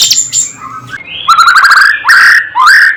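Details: White-rumped shama singing as song-tutoring material meant to raise birds' excitement: high thin notes, then loud rich whistles rising and sliding, broken by short pauses.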